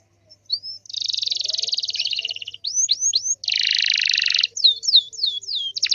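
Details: Singing canary used to draw replies from other canaries: a brief whistle, a long buzzy trill, quick curving whistles, another dense buzz, and a run of downslurred notes.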